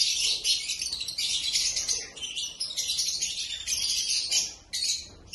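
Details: Black-masked lovebirds giving continuous shrill, high-pitched chattering, a dense stream of squeaky overlapping notes with brief dips and a short pause near the end.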